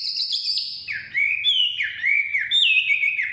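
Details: Forest Chinese hwamei singing: a high sustained whistle, then a series of rich looping notes dipping and rising in pitch, loud and clear.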